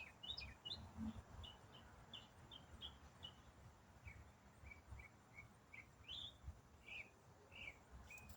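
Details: One songbird in autumn singing a complex riff without stopping for minutes: steady chain of short, high chips and slurred notes, some rising, some falling, fairly quiet, with background hiss and low noise.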